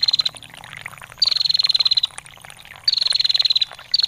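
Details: Female bar-winged prinia giving long ngetir trills, used to tutor songbirds: rapid, evenly pulsed high bursts just under a second long, with a steady trickle of water behind.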